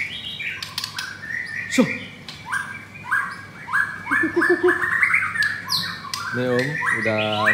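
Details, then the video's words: White-rumped shama of the pastel blorok colour form, caged and set against an adult rival; varied rising whistles and chattering runs, ending in fast rattling harsh trills. "Murai Batu Pastol Blorok Extreme Double Ring Apbn Bnr Gacor"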